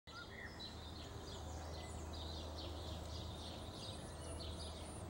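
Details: Eurasian blue tit young in a garden nest, fed by their parents about once a minute, give a rapid stream of thin, high, buzzy begging chirps, several per second, over a steady low rumble.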